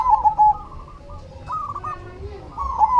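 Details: Perkutut cemani zebra dove cooing: a loud rolling phrase opens, softer distant coos follow, and a second loud phrase begins at the end.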